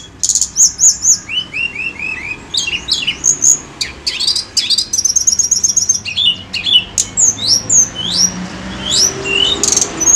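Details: Lure recording of a Tledekan gunung bird in full song: fast, varied high phrases of falling whistled slurs, sharp chips and a rapid mechanical trill midway, continuing with bright upslurred whistles.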